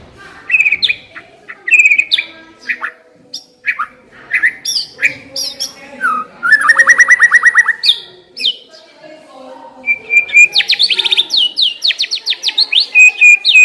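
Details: White-rumped shama, a lure recording meant to make a shama start singing; varied loud whistles and chirps, a rapid buzzy trill near the middle, then fast repeated sweeping notes and clear whistled phrases.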